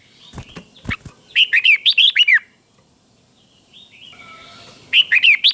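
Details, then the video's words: Red-whiskered bulbul teacher bird singing the doubled 'beun' style, clear paired phrases played to caged bulbuls so they copy it: bright whistled notes rising and falling in quick bursts of about seven, a pause, then another burst, with a few dry clicks before. "เสียงนกกรงหัวจุก | สุดยอดนกครู เบิ้ลชัดๆ เบิ้ลเป็นคู่ๆ เสียงกระตุ้นนกรงหัวจุกเสียงนกครู chao mao"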